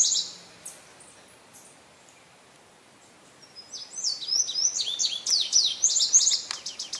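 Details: Male indigo bunting singing in May at St. Johns Conservation: a brief high note near the start, a quiet gap, then from about three seconds a bright run of high, sharp, paired notes and slurred phrases continuing to the end.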